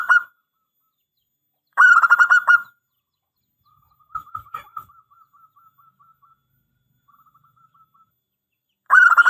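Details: Local perkutut, the zebra dove, in its lure song: two loud stuttered coo bursts, then a long soft run of quick ticking notes, and another loud burst at the end.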